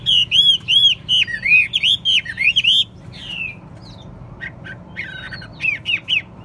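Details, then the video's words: Chinese hwamei in a cage, kept as a singing and fighting bird, delivers a fast series of looping whistled notes with sharp chips, pauses, then adds a few short whistled phrases. "Hót tốt, Đấu tốt. Siêng mỏ, giọng hay"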